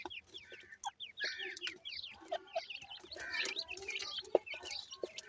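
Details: Grey francolin chicks, Irani type: bursts of quick, hooked, high cheeps from several youngsters, one sharp click near the end, and soft rustling.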